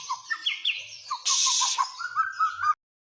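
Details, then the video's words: White-rumped shama, a energetically singing bird said to be ready for song contests, gives short whistled notes near one pitch and higher upslurred whistles, then a brief loud harsh burst and a run of quick repeated whistles. "murai gacor siap masuk gantangan"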